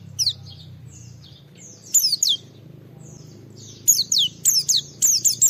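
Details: Oriental white-eye (pleci) singing to stir other white-eyes to respond, giving scattered short bursts of high, thin, downward-slurred whistles separated by pauses, over a faint low hum.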